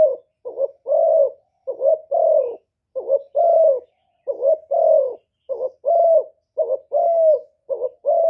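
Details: Cà Mau decoy spotted dove cooing to lure wild doves; dense sequence of mellow coo pairs, a short clipped note leading into a longer smooth one, repeated rapidly throughout with a silent background.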